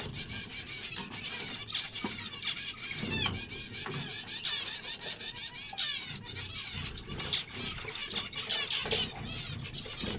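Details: Dense group chatter of zebra finches, overlapping buzzy, twangy notes and rapid trills running without a break for ten seconds.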